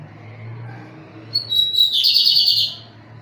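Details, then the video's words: Lined seedeater of the pirata type singing strongly: after a quiet start, a bright high burst of fast, tightly packed whistled and trilled notes runs for just over a second, then stops, over faint low background hum. "BIGODINHO PIRATA CANTANDO FORTE!"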